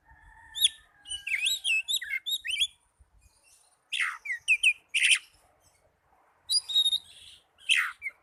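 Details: Oriental magpie-robin song for stimulating caged birds that rarely sing: rapid runs of whistled curling notes, then loud slurred downward whistles and buzzy phrases in separate bursts with short gaps.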